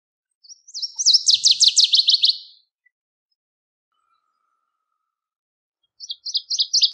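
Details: Singing Northern Waterthrush (Parkesia noveboracensis) in nature gives a full song of rapid, loud, downward-swept ringing notes lasting about two seconds, then a silent gap before the next song begins with bright repeated chips.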